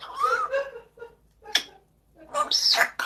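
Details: Pet parrot talking and coughing: a voice-like phrase, a pause, a sharp abrupt cough-like burst, then a higher, squeaky word-like phrase.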